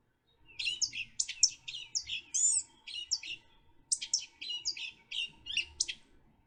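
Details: Blue-gray Gnatcatcher, the earliest expected fall migrant into the Keys, often heard before seen, giving a thin, high, rapid song of squeaky, buzzy and scratchy notes in two long bursts, with faint low background noise.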